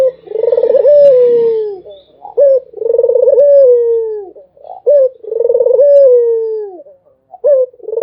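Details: Loud, close Barbary dove cooing. Pulsed rolling phrases sink into extended falling notes, each followed by a short clipped coo, in a steady rhythm of about two and a half seconds.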